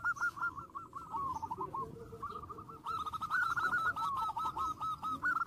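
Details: Zebra dove song used to provoke rival birds, rapid cooing notes repeated about two to three per second over a noisy, hissing background, with a second layer of faint higher ticking.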